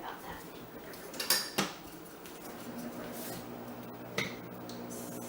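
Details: Indoor clattering of dishes and cutlery in a couple of sharp bursts over a soft background hum, with no bird or other animal heard.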